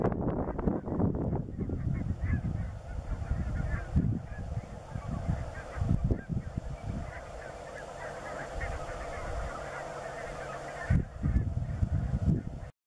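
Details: Flock of Greenland white-fronted geese at Kinnabus, Islay, some carrying orange neck collars and one a radio collar; loud honks at the start, then steady higher yelping chatter from many birds, with low thumping rumble throughout.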